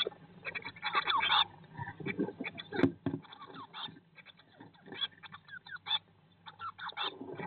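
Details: Blue tit nest box, 19 days after the first chick hatched on 19 May 2022; rapid clusters of thin, scratchy notes alternate with quieter gaps, plus thumps and rustling from movement inside the box.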